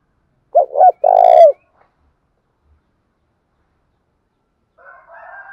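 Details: Spotted dove calling to lure others: one loud phrase of two short coos and a longer tremulous coo, followed by silence and then faint, more distant cooing.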